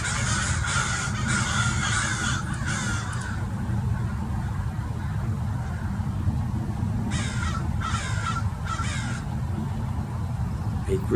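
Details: Murder of over thirty American Crows gathered around a Peregrine Falcon in Mason Regional Park, Irvine, California, mobbing it; overlapping rough caws in two clusters, a quieter gap between, heavy wind rumble throughout.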